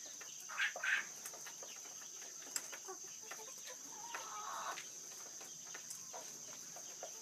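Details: Manchurian golden Japanese quail while mating: two quick, sharp chirps near the start, then a softer, lower murmur, over a steady high hiss throughout.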